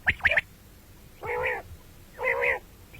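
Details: Common quail voice from morning and night calling: a burst of two or three sharp, high notes, followed by two separate, lower, nasal, harmonic notes about a second apart.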